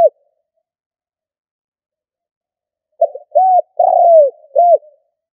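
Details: Spotted dove decoy bird cooing in the stuttering 'cà lăm' style: after about three seconds of silence, one phrase of four low, hollow coos, short notes around a longer, drawn-out falling coo, ending with a soft trailing note; nothing else audible.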